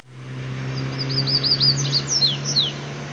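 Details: Coleiro song, mateiro style: a series of rapid, very high slurred chips that build in loudness and finish with a few descending sweeps, with a constant low drone underneath.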